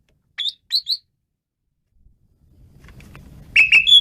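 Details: Asian pied starling in vigorous song: three short sharp whistled notes, a pause, then a low rumbling background and another quick burst of clipped whistles.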